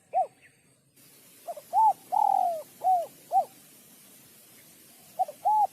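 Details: Spotted dove cooing, used to stimulate males and females; a clear sequence of short hollow coos with one longer drawn-out note in the middle, then a pause and two more coos.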